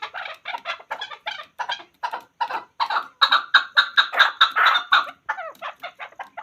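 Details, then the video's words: Hunter chakor (chukar partridge) calling a rapid run of hoarse chuck notes that builds in loudness and pace into a dense, ringing chorus of chukar phrases, then breaks off into a few softer, scattered notes. "Chakor Ki Awaz. Hunter Chakor sound."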